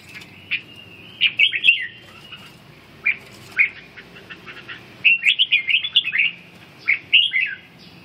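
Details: Red-whiskered bulbul (chào mào) in training to recover stamina and practise its ché song: short bursts of bright, bubbly whistled notes separated by pauses of about a second, in a quiet setting with faint low hum.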